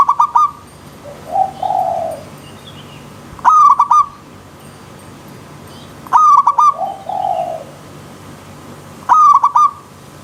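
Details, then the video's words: Zebra dove song for perkutut therapy, wild nature with river stream: four rhythmic stuttering coo phrases, about three seconds apart, with a softer, lower, slurred bird note between some phrases and a faint background hiss. "Terapi Perkutut Alam Liar"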